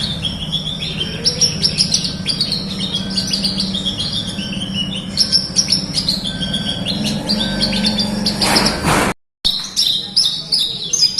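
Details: Lively Horsfield's bush lark song for training quiet birds to sing: a dense, continuous run of high chirps, buzzy trills and clicks, a low hum throughout and a brief silent dropout near the end.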